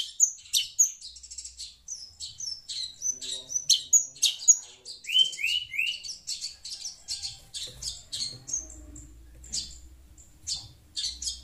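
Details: Garrulous shrike (pentet) responding to sound from a phone; a varied jumble of high, sharp chirps, squeaky whistles and a short run of three descending slurred notes, delivered rapidly and irregularly, with faint low hum in the background.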